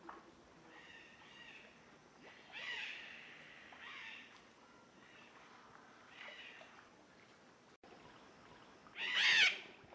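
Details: Yellow-collared macaws on the ground in the Pantanal, Brazil, while feeding: a series of harsh, raspy squawks rich in stacked overtones, spaced roughly a second apart, ending in a louder, longer screech.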